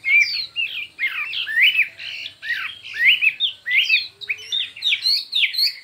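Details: Chinese hwamei in a singing contest, delivering many voices: loud, varied whistled and harsh phrases in bursts about once a second, with rich slurred notes and faint low hum underneath.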